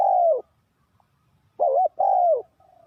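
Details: Trapping decoy spotted dove luring wild doves: a long falling coo, a pause, then a wavering coo and another drawn-out descending croo, deep and mellow, ending in a soft trailing note.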